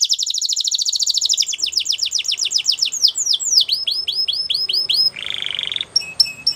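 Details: Singing white Belgian canary: quick repeated downward-sliding whistled notes that speed up and slow in successive tours, then a short buzzy rattle and a few sharp high chips at the end, all loud and clear.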